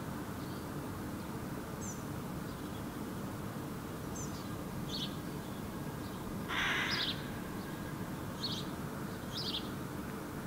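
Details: House sparrow vocalizing from an apple tree in Helsinki, Finland, July 2017: thin, high chirps spaced about a second apart, then one louder, fuller chirp midway, over a constant low rumble.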